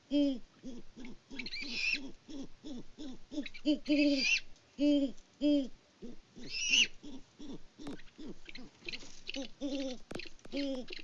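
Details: Great horned owl mates hoot to each other after a prey delivery, recorded by a farm cam in Kansas in February. A dense series of deep, rhythmic hoots runs throughout, punctuated by a few raspy, higher squeals.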